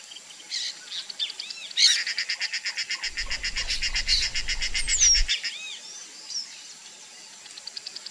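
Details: Male snail kite, a hawk of aquatic niches and swamps, giving a fast series of harsh, clipped notes, about four per second, for several seconds; other birds chirp around it and a low rumble comes in midway.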